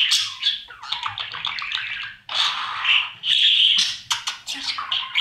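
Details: Budgerigar chicks in the nest box during feeding by parents, part of the daily breeding routine; bursts of scratchy, high buzzing chatter separated by brief quiet moments.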